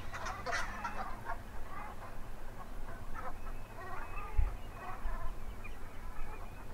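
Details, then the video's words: Brent goose flock, nigricans subspecies, recorded on a Norfolk coastal saltmarsh at Stiffkey; a burst of gruff, overlapping calls opens, then scattered softer rolling notes continue, with constant low wind rumble and a brief thump. "Brent Goose"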